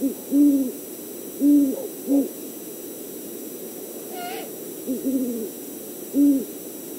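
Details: Great horned owls on a Montana nest cam during mating, 8 March 2019, around 6:40 pm. Deep, soft hoots come in stuttered groups every second or two, with one higher whistled "tea kettle" note, which is made by the male.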